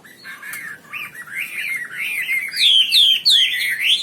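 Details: Wambi bird singing prolifically in gacor style, a songbird master recording: a varied run of whistled, warbling phrases that rise and fall, growing louder and sharper toward the end with quick upward-sweeping notes.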